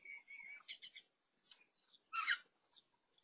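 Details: Lesser necklaced laughingthrush, newly visiting a fruit feeder in a garden on 16 June 2022: clear whistled notes open, then scattered chips and a loud, harsh, broadband chattering burst near the end.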